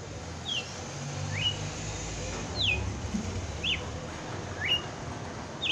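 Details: Red-cowled cardinal singing 'batendo fogo' on Christmas Day: six faint whistled slurs, alternately rising and falling, about one per second, partly masked by steady low rumbling noise.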